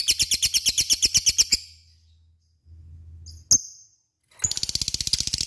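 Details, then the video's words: Lovebird ngekek song meant to provoke a response from other lovebirds: rapid, high, harsh chattering for a second and a half, a gap with one sharp squeak, then the fast rattling chatter resumes. "Pancingan LOVE BIRD gacor ngekek,mudah di respon lawan"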